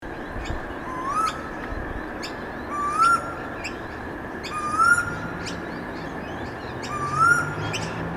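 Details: Storm bird (Pacific koel) singing loudly in a suburb in the late afternoon: four rising, whistled notes, one every two seconds or so, with high twittering from other birds between them and a steady background hum.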